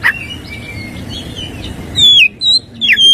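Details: Oriental magpie-robin (kacer) singing in the morning, a song full of 'tembakan kristal' fills: thin sustained high whistles, a slurred falling phrase, then two loud sharp descending whistles near the end over low background hum.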